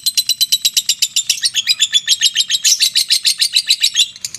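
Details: Lovebird giving the long ngekek trill, a rapid chattering run of high, harsh notes, about six per second, held steadily without pause through the clip.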